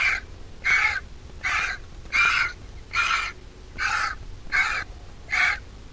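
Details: Vulture nestling begging while being fed by its mother at the nest; hatched 20 April 2023 from a Jerusalem Biblical Zoo egg. Harsh, raspy calls come in even bursts, about eight in six seconds, with faint low background rumble.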